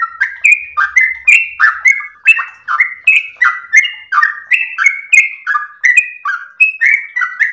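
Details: Sooty-headed bulbul pouring out long-breathed song as master material for young birds: rapid, jumbled gurgling notes sliding downward, high and low alternating, each introduced by a bright click, with no pause.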